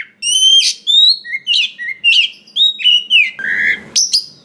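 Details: Oriental magpie-robin of wild forest stock singing, intended to spark other magpie-robins into song. Sweet level and slurred whistles follow each other about twice a second, varied in pitch, broken by one scratchy buzz near the end.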